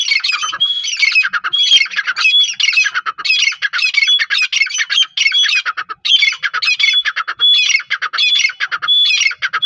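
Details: Iranian partridge giving a continuous run of harsh, squawking chattering calls, clustered bursts with brief whistled notes between them, closely repeated throughout without pause.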